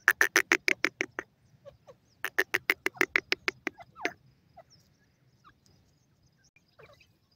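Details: Grey francolin (teetar) calling in the mating season: loud, harsh, evenly spaced notes fired in two rapid bursts of about ten each, the second ending in a longer note, followed by a few faint scattered calls.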